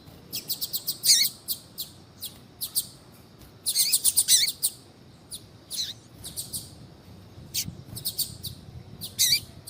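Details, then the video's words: A female double-collared seedeater calls repeatedly to warm up a male's singing: busy runs of sharp, high chirps, some with a short downward tail, arriving in bunches with brief pauses. "FÊMEA DE COLEIRO CHAMANDO PARA ESQUENTAR COLEIRO TUI TUI"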